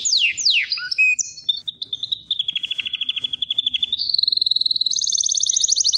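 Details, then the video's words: Canary in full song: quick falling sweeps and chirps, then a long steady trill of rapid notes, stepping up in pitch to an even higher, very fast rolling trill at the end. "KANARYANIN MUHTEŞEM ÖTÜŞÜ"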